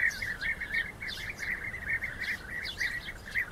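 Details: Rival bee-eaters fighting, European species, giving continuous trilled, purring calls that overlap in a busy chorus, with brief higher chirps above.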